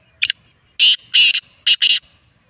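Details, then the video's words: Black francolin calling: a short sharp note, then loud harsh grating bursts in a clipped rhythm, the last two paired close together, over a quiet background. "Black Francolin kala Teetar ki Awaaz"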